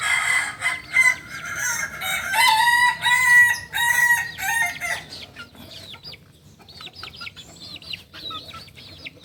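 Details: Native Solok singing chicken, the Kukuak Balenggek, crows in tiers. A long run of rich, harmonic syllables rises and falls in steps for about five seconds. Quick, high chirps of small wild birds follow.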